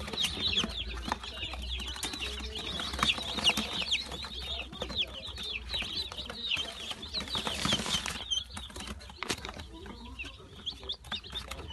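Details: Group of young Brahma chicks recorded on 22 April 2018; continuous shrill peeping, short falling chirps overlapping from several birds, steady throughout, with bursts of scratching and clatter midway.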